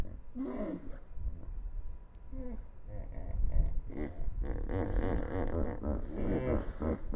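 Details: Near an African river on 19 March 2021, yellow-necked spurfowl pecking about on a live camera give short harsh notes, then a loud, continuous stretch of rapid raucous grating calls in the second half.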